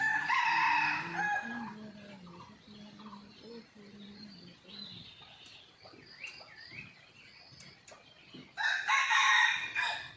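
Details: On a morning after a storm, with a hidden camera set up near wild red junglefowl, two loud harsh crowing bursts open and close the clip. Low steady tones and faint chirps of small birds fill the gap between them.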